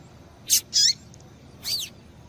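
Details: Female double-collared seedeater (papa-capim) call, used by keepers to stimulate males to sing: three thin, high notes, a sharp chip, a slurred buzzy note, then a falling whistle after a short pause. Nothing else is heard.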